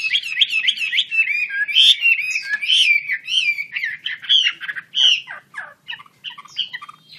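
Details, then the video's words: Chinese hwamei song of loud looping whistles and slurred notes, breaking into quick descending phrases and scattered chips toward the end. "KICAU HWAMEI"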